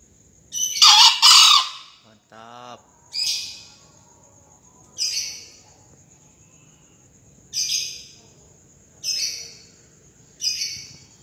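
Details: Crow of a green junglefowl entered in a 2020 crowing contest: one harsh, broadband double burst early on, followed by a run of short high chirps spaced about one to two seconds apart from another singer.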